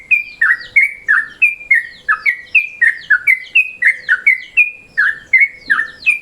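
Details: Lure recording of a yellow-vented bulbul in midday mode: rapid, rolling whistled chatter, with notes alternating downslurred and flat, repeated several times a second without a break.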